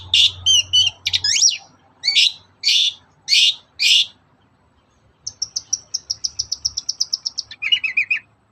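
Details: Long-tailed shrike singing in the morning as a lure recording for other shrikes: harsh scratchy notes, a pause, then a fast series of high sharp repeated notes and lower chattering phrases.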